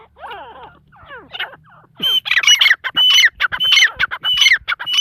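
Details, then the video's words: Female partridge calling: soft, falling squeaky notes in the first two seconds, then loud harsh repeated bursts with a sharp ringing tone, roughly a dozen scratchy notes to the end. "mdi ke Awaz # tetar sound # Teetar Voice"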